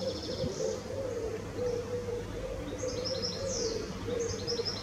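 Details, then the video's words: Fledgling grey wagtail, Norwich, 10 May 2017: a few high, thin downslurred call notes, some in quick pairs, against constant low-pitched background noise and a faint mid-range droning tone. "Grey Wagtail Fledgling"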